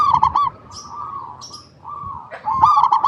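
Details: Local zebra dove song, kept as a lure to get other doves singing: loud rippling coo phrases at the start and end, softer trilling between, and faint thin high notes.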